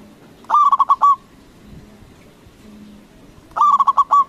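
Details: Local zebra dove in full voice, a loud lure call meant to provoke rival doves into answering: two stuttering cooing phrases about three seconds apart, each of four quick throbbing notes ending in a longer, drawn-out coo, over faint background hum.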